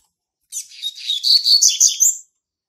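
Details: Territorial song of a young male Double-collared Seedeater born March 2019: a quick chattering run of high notes that grows louder over almost two seconds and ends on a rising whistle.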